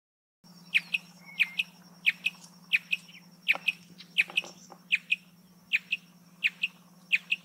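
Marsh antwren repeating sharp, high chipping notes roughly every two-thirds of a second, over a steady low hum and a thin, constant high whine.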